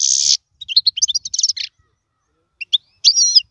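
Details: Short stretch of European goldfinch song for training young birds: a harsh buzzy note, a string of quick high chirps, a pause, then a slurred whistled phrase.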